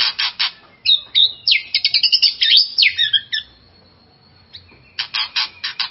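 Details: White-rumped shama singing to provoke a rival kept shama: harsh rattling bursts, then a rich fast warbled phrase of mixed whistles and trills, a pause, and more rasping notes.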